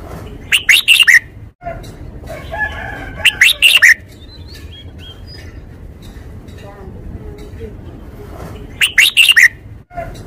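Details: Red-whiskered bulbul kept as a cage bird, performing a forest-style song. Brief, lively whistled phrases of four or five quick notes return about every three seconds, separated by quieter gaps with constant low background noise.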